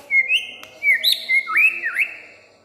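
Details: A caged white-rumped shama, a bold, loud-voiced singer kept in Semarang, gives a rich whistled phrase: clear notes near a steady pitch, then sliding upward and downward swoops, with a faint click in the background.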